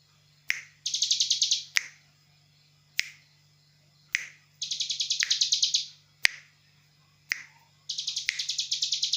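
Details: Bar-winged prinia lure call used to make wild birds answer: bursts of rapid, high buzzy trilled notes lasting about a second, repeated every three to four seconds, with sharp loud clicks between bursts and a steady low hum.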